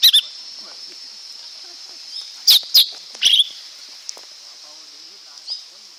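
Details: Lesser green leafbird song: scattered short, sharp whistled notes, some in quick pairs and bursts, sweeping up and down, over a steady high insect-like hiss.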